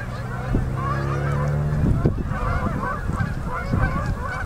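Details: Fall-migrating Canada geese pour down onto a river at sunset in Manitoba, October 2018; a busy wall of honks from the flock, over loud low rumbling and a few dull thumps.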